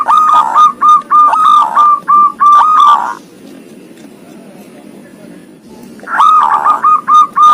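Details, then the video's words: Zebra dove singing in the ngoar style, a bird with thirteen tail feathers: two bursts of quick, hooked, mellow cooing notes, separated by a quiet three-second pause. "Suara Perkutut Ngoar"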